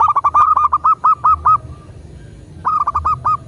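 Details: A local zebra dove gives rapid runs of soft, hollow, staccato coos, about a dozen notes in a burst, then pauses and starts again; such calls are used to prompt other doves to call.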